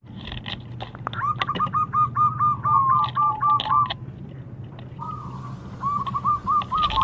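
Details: Local zebra dove, singing vigorously, used as a lure bird for trapping: long runs of quick stuttering low coo notes, about two per second, in two bursts, with scattered clicks and a low background hum.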